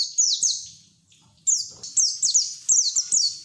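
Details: White-eye in full ngeriwik song, recorded as training audio for new birds: a quick downward chirp pair, a pause, then a lively string of high descending twitters.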